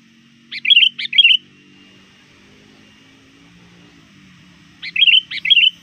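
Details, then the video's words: Sooty-headed bulbul, a trained lure bird, calling to rivals near dusk: two bursts of three quick, bright, bouncy notes, about four seconds apart, over a faint low hum. "suara burung kutilang gacor memanggil lawan"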